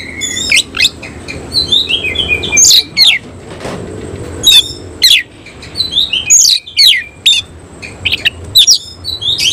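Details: Oriental magpie-robin of the Cililin type, singing with its tail spread open: loud burst-like song of sharp whistled slurs and harsh notes, given in clusters with short pauses.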